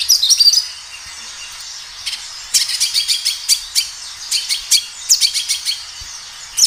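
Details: Natural-sounding kinoi song used to prompt captive kinoi to respond: a quick high trill opens, then after a pause rows of bright, sharp staccato chirps in rapid clusters, separated by short silences.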